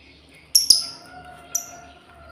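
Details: Female lovebird calling to its companions: two quick sharp high chirps close together, then a third clipped chirp a second later, over a faint steady electrical hum.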